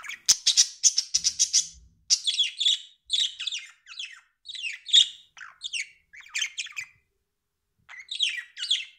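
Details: Pet budgerigar indoors, giving a fast warbling chatter of buzzy and squeaky notes, dense at first, then broken into short bursts with brief pauses.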